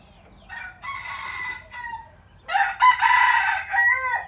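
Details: Decoy red junglefowl rooster of a traditional Phatthalung line, home-bred, used to lure wild junglefowl, gives two harsh, harmonic crows, the first broken into short segments and the second louder and rising before fading.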